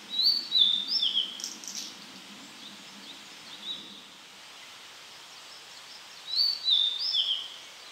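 A Blue-and-white flycatcher sings two clear, high whistled phrases about six seconds apart, each a quick run of slurred notes, over faint background hiss.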